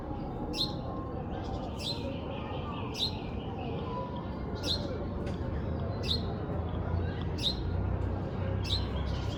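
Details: A young parrot calls repeatedly with brief descending high-pitched chirps, about seven over nine seconds at uneven gaps, over constant low droning background noise.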